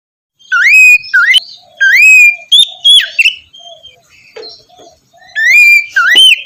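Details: Oriental magpie-robin (kacer) morning song meant to draw out a reluctant singer. Loud, upslurred whistled notes repeat in pairs with crisp clicks, over a faint lower warble between phrases.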